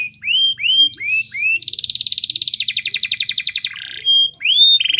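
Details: Canary singing vigorously to coax a silent bird into song: several rising whistled notes, then a long dense rattling trill, a short burst, and renewed upward whistles at the end.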